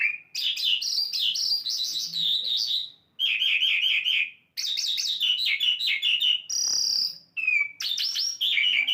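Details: A lark, described as an Asian lark, sings a rich, unbroken stream of high twittering and rolling trills, with quick slurred notes and brief pauses between phrases.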